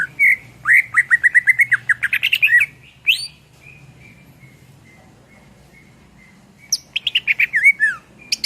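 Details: Greater green leafbird in full song for training cage songbirds: a long rapid series of repeated slurred whistles, a sustained soft tone, then another fast descending run of bright notes.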